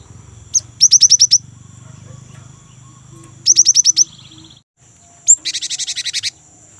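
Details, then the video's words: A young, vigorous great tit sings a rolling song meant to coax kept birds into singing. Rapid strings of six high, descending whistled notes are repeated, followed by a short buzzy, rattling burst. "GELATIK BATU MUDA GACOR | Glatik Ngerol Untuk Pancingan Gelatik Batu"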